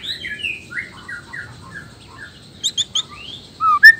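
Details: Male white-rumped shama from Nias with a black tail, song said to provoke other males: soft warbled descending notes, then a few sharp high chips and two loud clear whistles near the end.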